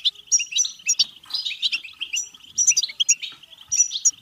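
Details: Goldfinch batbata song, European goldfinch, played to spur singing, mating and excitement: bubbling stream of short chirps, tinkling high notes and brief buzzes, with repeated phrases every second or so.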